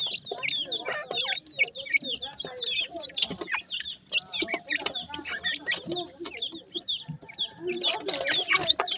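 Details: Several grey francolin chicks, just hatched, peep to call their mother. The thin, sharp notes fall in pitch and tumble over one another without pause. Scattered clicks and rustling noises come through, and a brief noisy burst sounds at the end.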